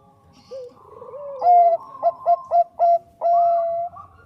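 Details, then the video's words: Lively Bangkok-type zebra dove song played as a lure: a soft rising coo leads into loud clipped staccato notes in quick succession, ending on a long steady ringing coo. "SUARA PERKUTUT BANGKOK GACOR AMPUH UNTUK PANCINGAN"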